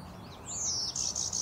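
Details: High, thin call of a male warbler, a presumed backcross hybrid with golden-winged traits, that sounds chickadee-like: a long descending slurred whistle running straight into three or four short buzzy high notes.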